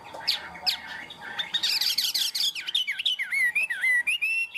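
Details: Tame caged Chinese hwamei song: scratchy opening notes and a harsh buzzy burst give way to a rapid run of looping, dipping whistles.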